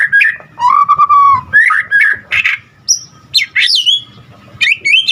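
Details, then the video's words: Energetic white-rumped shama song packed with varied material: a level sustained whistle, sharp rising and falling slurs, brief high pure notes and bursts of chattering, separated by short pauses. "Murai Batu GACOR Full Isian"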